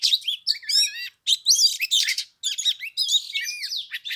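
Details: Oriental magpie-robin in a cage on the third day of Tet, 15 degrees, singing for an hour without coming down to fight; dense, rich, rapid medley of whistles, harsh notes and warbles with only brief gaps.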